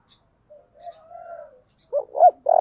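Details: Spotted dove of 'giọng thổ' voice cooing to provoke a fight. A faint, drawn-out distant coo comes first. Then come two sharp bent notes and the start of a long, loud coo, cut off at the end.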